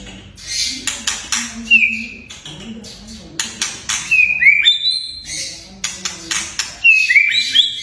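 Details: White-rumped shama giving kretekan and whistles to set young or silent shamas singing: many sharp dry clicks in rapid clusters, broken by three short bright whistled phrases with quick slurred notes.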